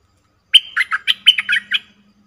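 A cream-vented bulbul gives a quick, bubbly run of about eight liquid, warbled notes in just over a second, with a faint low hum underneath.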